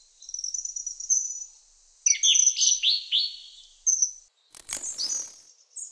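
A kingfisher gives thin, shrill high whistles, then a quick run of sharp, falling piping notes, with a brief click near the end.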